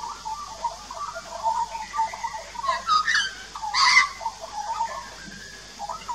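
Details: An adult and a juvenile Australian magpie sing together at a garden birdbath in Australia, recorded 2 March 2018 with a Nikon Coolpix P900: soft low warbling, then a harsh, loud burst near the end, with scattered gurgled notes.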